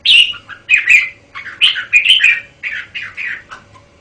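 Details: Red-whiskered bulbul from a Thai VCD recording of its song, the style labelled 'bao': bright warbled chirpy phrases in quick bursts, about eight short loud notes with brief gaps over four seconds, clean background.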